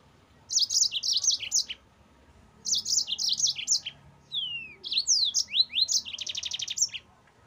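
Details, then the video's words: Yellow-fronted canary singing in ngerol style as a cage-bird master recording: two phrases of rapid high chirps, then falling whistled slurs and a quick rolling trill. "MASTERAN BURUNG MOZAMBIK GACOR NGEROL"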